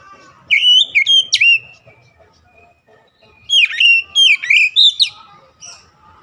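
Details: Oriental magpie-robin song of short whistled phrases with sharp high accents, two clustered bursts separated by a quiet gap of about two seconds.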